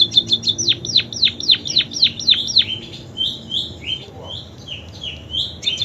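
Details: Munia delivering canary-style imitations: a quick string of sharp descending whistles, then slower, drawn-out rising and falling whistled notes spaced about half a second apart.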